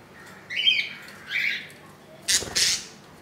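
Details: Newly hatched budgerigar chick in its nest, two days old after hatching at 2 AM on 15 July 2018. Two raspy squeaks come about a second apart, followed by loud rustling clicks.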